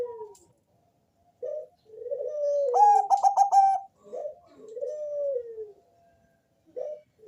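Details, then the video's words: Bangkok-type zebra dove with a heavy bass voice, singing to lure other doves. Slow, falling drawn-out coos from a lower-pitched caller surround a quick run of rapid pulsed cooing notes in the middle. "Perkutut bangkok rajanya bikin gacor suara tebal ngebass manggung merdu mengundang bunyi perkutut"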